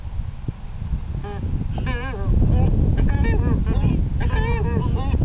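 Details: Galapagos albatrosses performing their mating dance, uttering wavering, nasal, harmonic whinnying moans in short repeated bursts, with a few clicks, over strong low rumbling wind.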